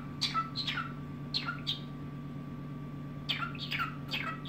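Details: Cockatiel singing indoors in the evening: paired downward-sweeping chirps repeated in short bursts, over a steady low electrical hum and a faint constant tone.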